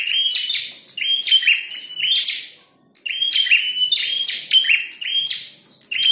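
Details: Red-headed prinia, fighting and singing hard: buzzy, high chirping phrases in quick succession, a brief silence midway, then the bright, rapid bursts continue.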